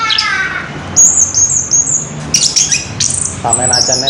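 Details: Orange-headed thrush in ngerol song, with high thin whistles and a few sliding notes coming in short bursts between a man talking at the start and close.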